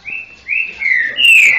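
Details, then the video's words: A Green-winged Saltator (trinca-ferro) sings a brief run of four loud, clear whistled notes, each slurred and slightly rising, one after another with no background sound. "TRINCA FERRO 60 BOI"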